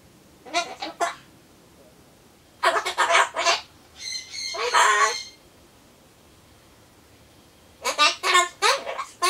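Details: Pet Solomons corella chattering to itself ahead of a pumpkin treat; quick raspy syllable groups at the start and end frame a longer whistled, warbling phrase in the middle.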